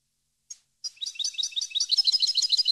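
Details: European goldfinch song recorded for training captive goldfinches: two brief high notes, a short pause, then a fast, liquid twittering of tinkling, chattering notes that grows denser and louder.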